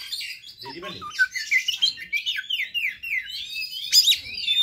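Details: Oriental magpie-robin fighter song meant to provoke other magpie-robins, a rich varied run of whistled notes and rapid descending slurred phrases, ending in sharp high chirps; faint low clatter early on.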